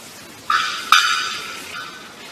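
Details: Bearded bellbird (Procnias averano), call.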